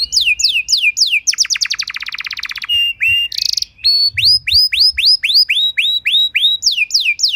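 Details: Canary master song to train other canaries: repeated falling whistled sweeps, a long fast buzzy trill, a short hiss-like burst, then regular upslurred whistles.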